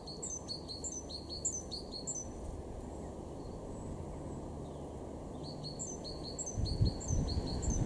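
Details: Great tit in March 2023 in a garden at Weener, East Frisia, Germany: a series of high two-part notes for about two and a half seconds, silence, then another series; low rumbling noise swells toward the end.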